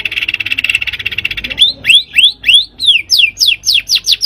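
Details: White-rumped shama song played to prompt a bird into singing, opening with a buzzy rapid trill, then a series of sharp, rising-and-falling whistled notes that quicken toward the end.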